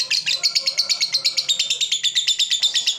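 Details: Fighter lovebird in extended ngekek song, meant for tutoring other lovebirds: rapid, rattling series of high, harsh chirps, closely spaced and continuous, with a faint low hum underneath.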